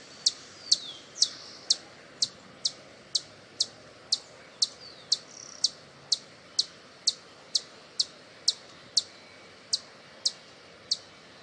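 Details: Calls meant to attract hummingbirds, a hummingbird giving short, very high ticking notes about twice a second, with a few faint thin twittering notes early on.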